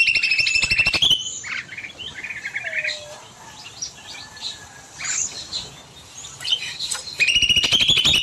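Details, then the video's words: Bulbul in an aviary at evening, opening and closing with loud, rapidly pulsed high trills, separated by a quieter stretch of varied short chirps and twitters. "Burung Cucak Mini Gacor Panjang"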